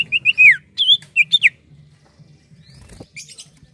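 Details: Energetic Common Iora whistling: a burst of loud whistled notes, some wavering and some dropping sharply, packed into the first second and a half, then quieter chirps and a low hum.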